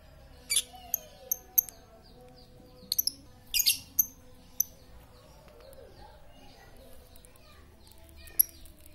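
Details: Lovebird chatter played as a lure to get quiet lovebirds to sing: clusters of sharp, high chirps and squeaky notes in bursts, with pauses between and faint background noise.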